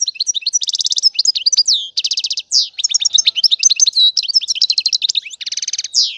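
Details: European goldfinch song meant to stimulate males and signal mating readiness: a rapid, dense twitter of high buzzy trills, tinkling notes and sliding whistles, nearly continuous with brief pauses, with no other sounds.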